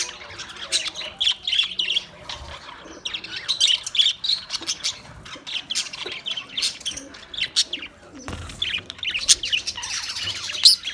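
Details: Australian parrot chirping in a long run of high, sharp chirps and harsh squawks, bunched in bursts with short pauses, over a faint low hum.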